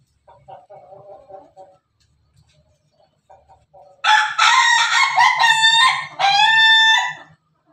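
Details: Pelung chicken, Bangkok-type rooster: quiet clucks and soft notes lead into a loud, long, harmonic crow broken into several wavering sections, with a brief pause before its final stretch.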